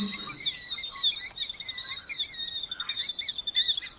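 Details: Killdeer (Charadrius vociferus) delivering a rapid, almost continuous stream of shrill ringing notes that run together into excited chatter, with brief pauses and a short low sound at the start.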